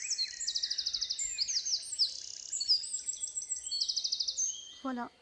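A Eurasian wren pours out a loud, rapid song of high trills and sharp notes in one long phrase, ending in a brief lower rattle.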